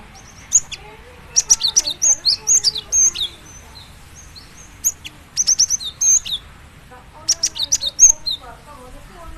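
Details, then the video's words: Cinereous tit (gelatik batu) calling in bursts of high, thin whistles and sharp chirps with clicky notes, grouped into three dense clusters separated by short pauses. "Dijamin gelatik batu lain langsung gacor dengar suara ini"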